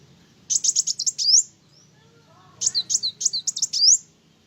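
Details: Sunbird singing gacor, in full voice, making other birds worked up. Two phrases of quick, high chipping notes each finish in a rising whistled flourish, with a short silence between them.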